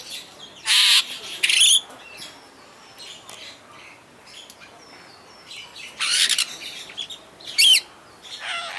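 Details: At Walsrode bird park in Germany, a superb starling sings in scattered phrases: short, loud, harsh rasping bursts, a couple of sharp whistled notes, and quiet gaps between.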